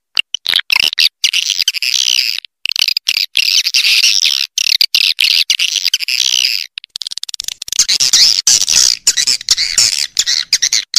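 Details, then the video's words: Call used to lure swiftlets: an almost continuous stream of shrill, buzzy chattering, broken by brief gaps and sharp clicks, growing more dense after the midpoint. "Suara Panggil Walet Raja Liur Terbaru Call Swallow Birds"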